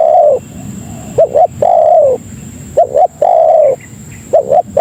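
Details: Spotted dove (tekukur) lure call used to attract other doves: low cooing phrases, two short quick notes then a long falling coo, repeated about every two seconds, with a steady faint high tone behind.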